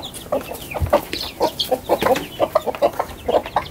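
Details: Backyard chickens, big and small, dashing out of the coop into the garden on a morning: a busy stream of short, low, irregular clucks from several hens overlapping one another.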